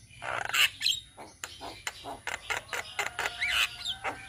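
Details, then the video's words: Indonesian black-winged mynas, a group of young birds: quick series of harsh, clipped chack notes about four per second, with a few thin squeaky whistles on top. "Masteran Jalak Kebo Bahan - Jalak Kebo Ombyokan - Kicauan Burung Jalak Kebo Indonesia"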